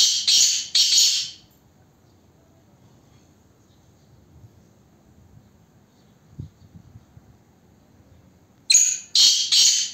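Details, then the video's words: A black francolin (kala teetar) gives loud, harsh, grating bursts: two rasping notes at the start and three more at the end, with near silence between. "Kala Teetar"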